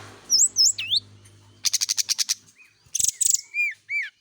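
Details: Brown-chested jungle flycatcher singing in the morning during dew exposure: curved whistled slurs, a fast buzzy pulsed trill, then more looping whistles over a faint low hum.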